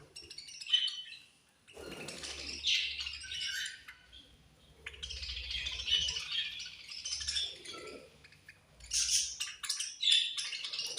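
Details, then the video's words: Budgerigars at feeding time with scratchy high chatter and short squeaky notes mixed with rattling, clicking sounds, in bursts separated by short pauses. "My Beautiful Budgies Angry Eating And Chirping Sounds"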